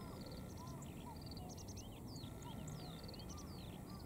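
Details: Singing male Siberian rubythroat near a cycling road: busy, complex song mixing rapid clipped triplet notes, downslurred whistles and lower arched phrases, continuous throughout over low background noise.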